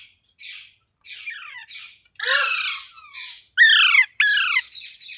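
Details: Green parrot giving a series of harsh, grating squawks and short rasping calls in bursts, with brief silent gaps and one louder pair of descending screeches near the end.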